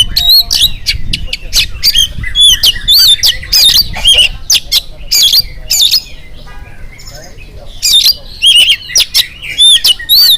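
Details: Oriental magpie-robin singing in the morning to get other birds to respond: about ten seconds of loud, varied whistled loops and harsh squawky bursts in rapid, uneven spurts, with a brief quieter gap midway.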